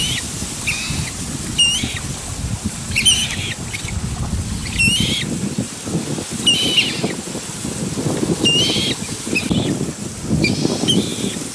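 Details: Pair of young common moorhens, already quite large, repeatedly calling for their parents as they wander from home; a run of about eight high, hoarse peeps, some closely doubled, over steady low background rumble.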